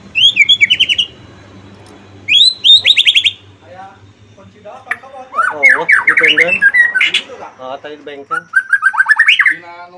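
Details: White-rumped shama song used to make other shamas join in: repeated harsh rattling trills and jumbled chattering, whistled phrases, loud and busy throughout.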